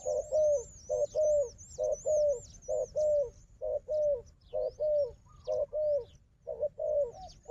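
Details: Wild dove in a fighting contest with a strong decoy bird, giving deep rolling coos in short bursts, roughly one per second, while thin high whistles from another bird ring above.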